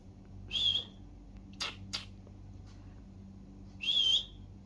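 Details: Pet budgie in a quiet room gives two short, bright whistled chirps about three seconds apart, with soft clicks and a faint hum between.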